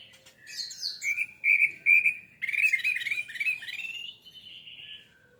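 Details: Orange-headed thrush singing, used as a lure to set caged birds singing: high thin notes, a few loud trilled bursts, then a long continuous warbling run that fades out.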